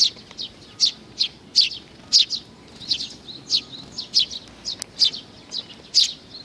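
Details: Sparrows visiting to be fed, May 2019: a busy run of sharp, high chirps, some doubled, following one another with barely a pause over a quiet background.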